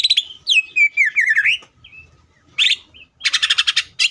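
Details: Greater green leafbird singing fiercely as a lure to make other leafbirds sing; sliding whistled notes dip and rise, then after a pause come buzzy bursts and a fast rattling series of harsh chattering notes.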